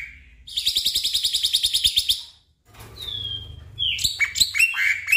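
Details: Black-winged myna song used as a prompt for a stressed caged bird that will not sing: a fast run of buzzy, high repeated notes, a pause, then a long falling whistle and harsh chattering phrases.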